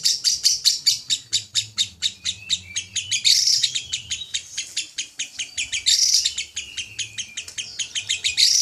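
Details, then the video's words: Champion lovebird in a long ngekek, a fully filled song style used in contests. A rapid, steady run of sharp, high chattering pulses continues without a break, rising into several louder, harsher bursts. "Love bird ngekek panjang juara full isian"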